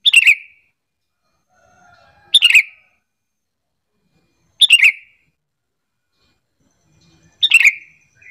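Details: Decoy call of a sooty-headed bulbul, meant to make other bulbuls call back; four sharp, scratchy chirps about two to three seconds apart, with faint softer whistled notes between two of them.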